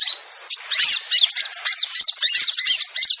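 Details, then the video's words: Sogon lure call meant to draw hard-to-descend wild sogon birds down: dense, high twittering chirps and short slurred whistles in quick bursts, separated by brief pauses, with several calls overlapping. "Suara Pikat Sogon Susah Turun"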